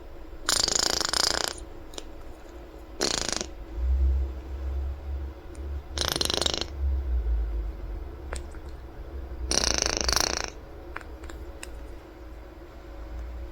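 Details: A pet male monk (Quaker) parakeet blows harsh, spluttering raspberries in short bursts a few seconds apart.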